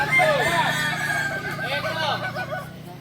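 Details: Crowing Kokok Balenggek chicken at a joint training session in Solok. A bright rising note opens a quick series of small arched syllables, with talking and a steady low hum in the background.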